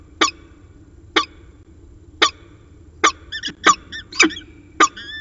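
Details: At CSU Orange on 15 January 2019 at 5:45 pm, a peregrine falcon gives sharp rasping notes about a second apart. They then quicken, with thin squeaky whining notes slipped between them.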